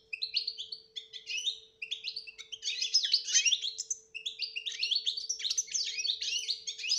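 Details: Goldfinch in betbeta song with tasfiya whistles, meant to train a quiet bird to sing; continuous jumbled twitters and chirps, a short break near four seconds, then more fast tinkling phrases, with faint constant background hum.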